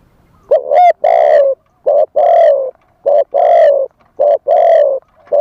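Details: Live lure call of a spotted dove, wild-style voice, used to draw in wild doves: four pairs of a clipped note followed by a longer, gently falling coo, steady and loud.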